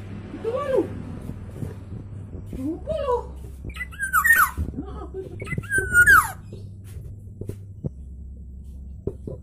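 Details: Loud, full-toned black-naped oriole phrases: two low, mellow slurred notes, then a pair of higher, ringing fluty whistles that bend upward and fall steeply, separated by short pauses over a low background hum.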